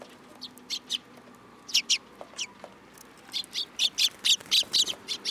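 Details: Several sparrows landing on a person's hand at Tenmangu shrine on 8 July 2022. High, sharp chirps come irregularly at first, then build into a fast run of loud notes near the end.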